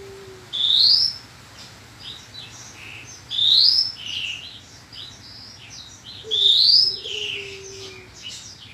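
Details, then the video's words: Horsfield's bushlark training song from 2022: three bright rising whistles about three seconds apart, each followed by buzzy slurred notes and twittering, plus a faint low tone and steady low hum. "Kumpulan masteran burung branjangan terbaru tahun 2022, dijamin branjangan anda akan gacor"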